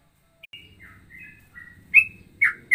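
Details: Ropelan song variation likened to straw-headed bulbul mixed with sooty-headed bulbul: thin, drawn-out whistles over a low rumbling background, ending with three loud, sharp whistled notes.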